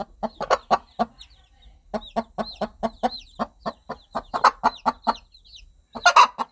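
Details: Mother hen gently clucking to guide her baby chicks toward warmth, food and safety; soft, evenly spaced clucks in quick rhythmic runs, a few high chick peeps, and a short scratchy noise near the end.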